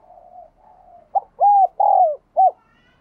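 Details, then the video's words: Cooing spotted dove, used to make newly caught caged doves coo: two soft, drawn-out low murmurs, then a loud phrase of a brief note, two long hollow coos and a short final coo. "Chim Bổi Nhà bạn Không Chịu Gáy Vì bạn chưa Mở Tiếng cu gáy này"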